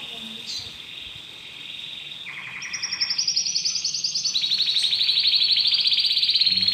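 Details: Newly acquired domestic canary holds a steady whistled tone, then moves through stepped trills that climb into a loud, rapid, high rolling phrase.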